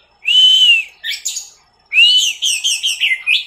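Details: Orange-headed thrush singing teler style for training cage birds: a long, clear, slightly arched whistle, short sweeping notes, then another whistle flowing into a rapid chain of varied warbled notes.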